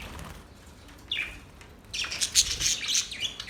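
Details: Budgie warbling that opens with a single rising chirp, then breaks into a fast run of scratchy, twittering notes and squeaks that continues to the end.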